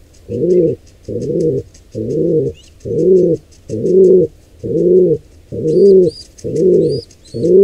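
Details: Wild pigeons at a nest where a squab is attacked by an intruder pair: deep, arched coos repeated about once a second in a steady rhythm, with faint higher chirps and squeaks above.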